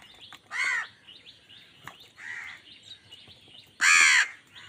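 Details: Angry crow fighting with wild birds for food: two loud, harsh, buzzy caws about three seconds apart, with a fainter caw between and soft chirps from smaller birds behind.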